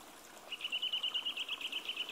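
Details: Eurasian nuthatch singing its spring song, a fast, even run of clear whistled notes, about seven per second on one steady pitch, against a quiet background.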